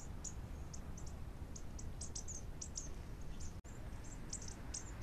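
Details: Bushtits feeding on the ground, giving a rapid, irregular stream of very high, thin, short tsit notes, some in quick pairs, over a steady low rumble.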